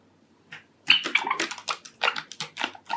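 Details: Male Sakura (cinnamon-pied) Java sparrow kept indoors as a pet, singing his courtship song: a rapid series of dry clicks and chips with a few short whistled notes, starting after a brief quiet moment.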